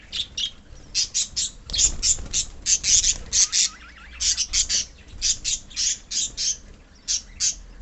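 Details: Budgerigar colony of pet birds giving a rapid series of short, harsh, high chirps in evenly spaced bursts, roughly three or four per second, over a softer background of twittering.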